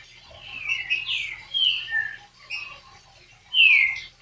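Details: Green-winged saltator, known locally as trinca-ferro verdadeiro, singing a series of short whistled, slurred phrases at varied pitches with brief pauses between them, ending in a louder descending whistle.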